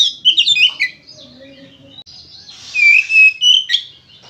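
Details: Oriental magpie-robin (kacer) in vigorous fighting-style song, meant to prompt other kacer to sing: rapid clusters of high, bright whistles open and close the phrase, with a quieter gap between them.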